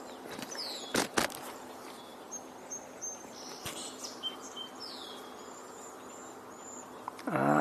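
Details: Three or four Cedar Waxwings on a tour on 14 June 2025 give thin, very high, lisping calls, several short notes scattered through the clip, faint under a few loud knocks and a rustle near the end.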